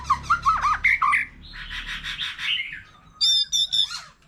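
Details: White-rumped shama, a wild-caught forest-matured bird, singing many varied phrases with a laughingthrush also present; rapid chattering notes, then rich warbled phrases and a bright squeaky burst to close.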